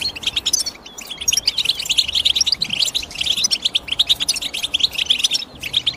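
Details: European goldfinch twittering busily: fast runs of high, slightly metallic chirps and short trills, nearly unbroken, with a brief quieter gap early on.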